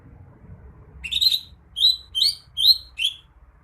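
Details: Greater green leafbird delivering a phrase of five or six loud, clear whistles, some sliding down in pitch, quickly repeated against a faint low rumble.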